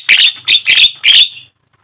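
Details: Black-winged starling (jalak kebo) lure song meant to get caged starlings singing: four loud, harsh, scratchy screeches in quick succession, then silence.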